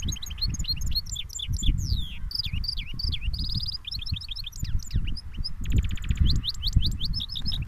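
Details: Caged goldfinch mule singing cage to cage: a fast, continuous jumble of high chirps, twangy upslurs, rapid buzzy trills and metallic rattles, over a steady low rumbling background noise.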